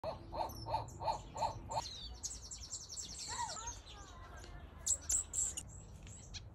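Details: Rapid, high, thin chirps of finches in quick series in a mixed outdoor aviary with softbills, after an opening run of five low, hooting notes from another bird; other aviary birds twitter throughout.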